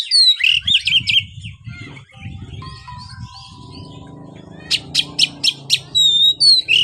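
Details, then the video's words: Song of a caged white-rumped shama: rich whistled warbles at the start, a quieter middle with low humming background, then a run of sharp repeated notes and sweet slurred whistles. "buat burung Kacer anda yang malas bunyi"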